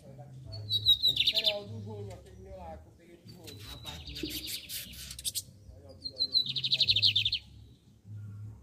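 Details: Lined seedeater (bigodinho) singing, set against the torneado song style: three phrases, each a thin high whistle sliding into a rapid buzzy trill, spaced about three seconds apart, over low rhythmic thumping and faint chatter.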